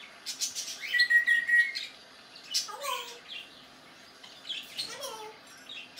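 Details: Captive male African grey parrot from May 2019 mixing imitated sounds: a steady whistled note, chattering clicks and two falling, voice-like swoops a couple of seconds apart, in a quiet indoor setting.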